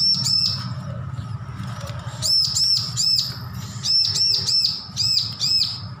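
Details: Young bar-winged prinia, just weaned from hand-feeding, practising its song, recorded as a training tutor for other birds: bursts of high, sharply arched whistled notes repeated in quick runs of three to five, over a low steady hum.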